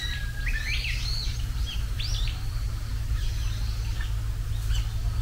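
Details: Japanese bush warbler, called the herald of spring, singing early in the spring: a brief held whistle that runs into a fast rising and falling flourish near the start, then thinner chirps from other birds against steady low background noise.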